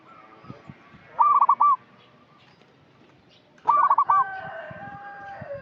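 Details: Lively local Indonesian zebra dove giving lure calls meant to prompt untrained birds to sing: two bursts of quick, stuttering, bubbly coo notes about two and a half seconds apart, with quiet background hiss between them.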